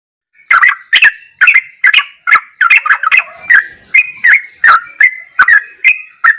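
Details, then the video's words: Sooty-headed bulbul singing a ropelan goklikan style song, used as a tutor recording: short bubbly, slurred notes, each led by a sharp click, repeated roughly two to three times per second with no other sounds. "MASTERAN TRUCUKAN TERBAIK || ROPELAN GOKLIKAN TOP"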